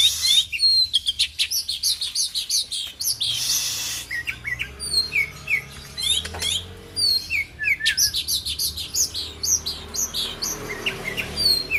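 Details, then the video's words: Oriental magpie-robin, kacer argal, from Aceh, sings a rich, varied song of sharp chirps, quick whistled slurs and scratchy notes in rapid bursts, with brief noisy passages and faint low background hum. "kicauan Kacer Argal"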